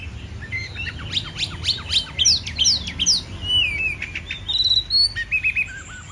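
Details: Oriental magpie-robin (kacer) in full song: a rapid series of sharp, high, slurred chirps in bursts, then longer clear whistled notes and short dipping phrases, with a low background hum.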